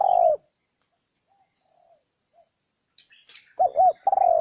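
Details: Spotted dove lure cooing: the tail of one falling coo, a quiet pause with faint chirps, then a phrase of two quick looped notes and a long descending coo.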